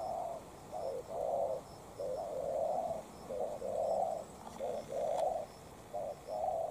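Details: Decoy and wild spotted doves in a calling duel: rich low coos run almost without pause, short and long notes alternating, with faint high chirps and a single click in the background.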